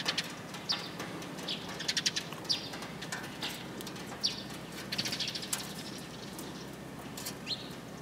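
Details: Several sparrows coming in for food on 29 March 2022, on the outward walk: bursts of sharp, high chirps crowding the first half, then sparser single calls over a soft background hum.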